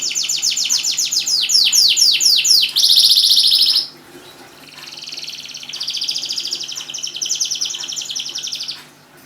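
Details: Singing canary, played to coax quiet canaries into song: fast descending sweeping notes repeated in series, then a dense buzzy trill, a brief pause, and a softer rolling warble returning.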